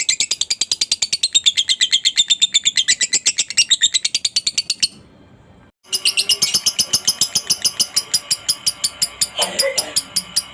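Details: Caged lovebird chatter, played to stimulate other lovebirds to sing: a fast, harsh, buzzy trill of rapid clicking pulses, several per second, breaking off for about a second, then resuming with more scratchy, noisy chatter.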